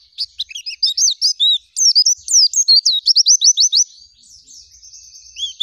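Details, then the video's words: An oriental white-eye sings a fast, high twittering stream of thin whistles, slurred notes and rolling trills, with brief pauses between bursts. "Pleci Gacor Full Isian Nembak Ngerol Zipper Istimewa"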